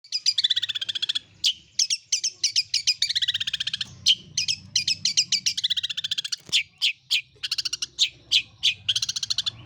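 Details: Long-tailed shrike song filled with greja (sparrow) and kunti phrases: bursts of rapid, high chirps and short buzzy trills, repeated quickly in uneven runs, with brief pauses between runs and a faint low hum underneath.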